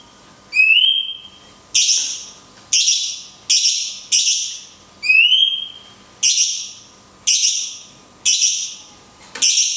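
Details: Cungkok song in the long 'tembakan kunti panjang' style with natural pauses, a training recording for songbirds: loud high bursts about once a second, two sharply rising whistles with a sliding tail among harsh descending notes.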